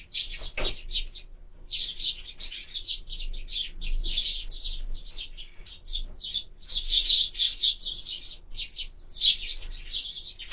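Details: Lively sparrows calling at a bird feeder on a bird camera: long stretch of rapid, high chirps in quick clusters with short gaps, one low knock near the start.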